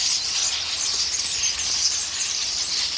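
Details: Common starlings in a flock bickering over pears in a fruit tree; a brief, dense burst of high squeaks, whistles and chatter overlapping with no pauses.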